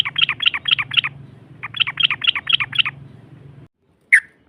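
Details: Yellow-vented bulbul lure sound for provoking a rival to respond: two runs of quick, clipped repeated notes over a steady low hum, then silence broken by one sharp note.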